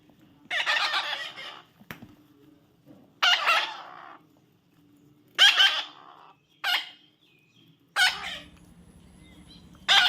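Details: Baby parrot calling: five loud, harsh, raspy screeches, each about half a second to a second long, spaced irregularly a second or two apart, with quiet low hum between bursts.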